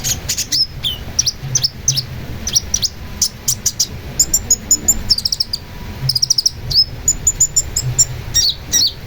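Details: Long-tailed shrike song: quick strings of bright, high notes and short slurred whistles, some phrases repeated several times in rapid series.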